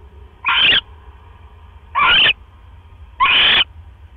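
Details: Male barn owl delivering another mouse to the nest at 1:09 AM on 12 October 2015; three separate rough, hissing screeches, each about a third of a second, spaced over a second apart.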